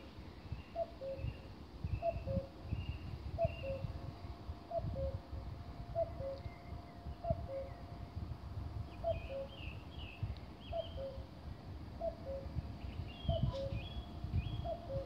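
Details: Common cuckoo song from Konjiška Gora in Slovenia: a steady series of about a dozen falling two-note cuck-oo calls roughly every 1.3 seconds, with other birds chirping higher in the background and low rumbling noise.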